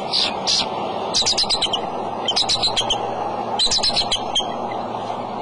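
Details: Male bald eagle calling at the nest with eggs on March 23 in the early afternoon: bursts of high, sharp staccato chirps in quick series, pausing between runs, with steady low background hum.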